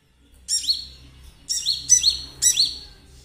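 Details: Konin with quick, high, whistled chirps that swoop down and then up again. Three to four bright phrases follow each other closely, used as a lure for kolibri ninja.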